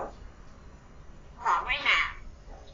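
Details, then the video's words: Pet common hill myna, not yet a year old, speaking in imitation of humans: two loud, bright, voice-like syllables in quick succession after a quiet start. "นกขุนทอง พูดเก่ง"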